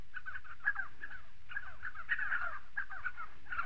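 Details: Several Spotted sandgrouse in southern Morocco calling together: rapid, bubbling, mid-pitched notes in overlapping clusters, louder toward the middle, over a quiet low background.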